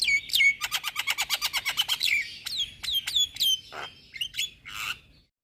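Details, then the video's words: Javan myna singing in full, nodding its head, used to lure and as therapy for moulting mynas; a rapid run of about a dozen clicking notes, then loud downward whistles and harsh squawks. "Kicauan Jalak Kebo Full Manggut2 Buat Pancingan Dan Terapi Jalak Mabung"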